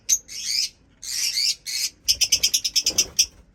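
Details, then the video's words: Pet lovebirds in a breeding cage setup give harsh, buzzy high chirps: two longer raspy bursts, then a rapid run of about ten sharp notes in quick succession. "Birds chirping sound"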